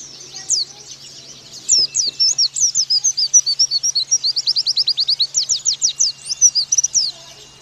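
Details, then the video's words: Oriental white-eye song used as a master recording for young birds: brief soft twittering, then a fast, dense stream of sharp high chirps that builds into quick repeated falling notes, over a low electrical hum. "Pleci Bakalan Nembak Pake masteran ini!!!"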